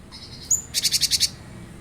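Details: Cinereous tit recording meant to prompt a kept bird to sing along: a thin high whistle followed by a quick run of six bright, evenly spaced chipping notes.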